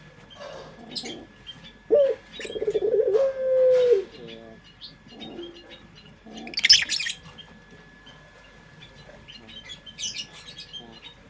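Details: Single pelung coo of a puter dove used as a lure: an abrupt start, pulsing roll, then a sustained steady hum, followed by softer murmurs and a burst of high chirping from other birds.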